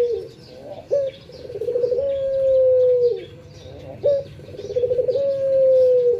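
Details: Barbary dove in the morning giving two repeated coos, each a rising flick, a pulsed rolling middle and a long smooth low note tapering down, while other small birds chirp faintly and higher.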